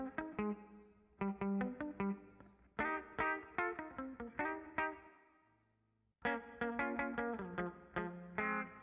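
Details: Plucked guitar with effects playing a repeating melody, with a brief pause midway and no animal sounds.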